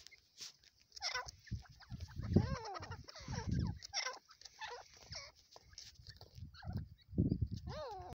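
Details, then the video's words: A francolin (teetar, labelled Iranian) gives harsh, grating calls that slur up and down in irregular bursts over several seconds, with low thumps and handling noise beneath. "teetar ki awaz teetar sound teetar voice"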